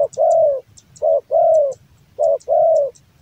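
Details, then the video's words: Loud-voiced male Javan spotted dove in song: a short cooing note followed by a longer, level, mellow coo, the pair repeated three times, with faint high chirps from another bird above. "SUARA BESAR YANG LEPAS KEMBALI"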